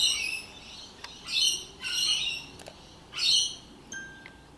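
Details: Rainbow lorikeets, loud wild parrots in Australia, giving separate harsh rasping screeches in bursts of about half a second, spaced irregularly, with short sharp clicks between and a thin whistle at the end.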